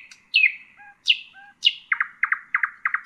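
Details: Nightingale, song for teaching chicks: three strong falling notes separated by soft low whistles, followed by quick paired clicking pulses repeated four times.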